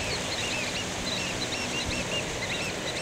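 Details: African black oystercatchers in the breeding season at Kruismansbaai, Danger Point, Gansbaai, Overberg, South Africa: a run of short, high piping notes, several overlapping in quick succession, over a steady roar of surf and wind.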